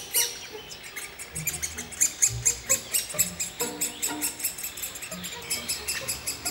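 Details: A Great Spotted Woodpecker feeding her young in Baneasa Forest in May 2014 gives sharp, high, clicky notes, about two each second, over faint low background sounds.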